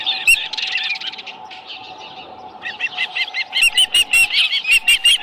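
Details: Ranch nest osprey with a live fish; softer, blurred chirping at first, a brief near-quiet pause, then a sharp series of loud, high, clipped whistles in quick succession.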